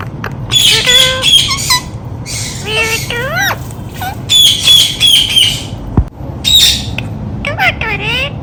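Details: Indian ringneck parakeet kept as a talking pet, giving loud squawks and chirps mixed with rapid speech-like chattering, bursts of rising and falling harsh notes in quick series, brief pauses between phrases.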